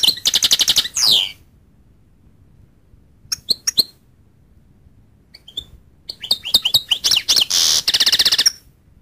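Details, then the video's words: Goldfinch sings an opening run of rapid high notes, scattered single chirps during a quieter stretch, then a lively twittering passage with a buzzy rasping section. "goldfinch sound"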